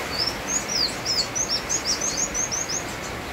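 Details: Sunbird song in the rain: a brisk series of high, thin downslurred whistles repeated about three times a second, set against constant heavy rain noise.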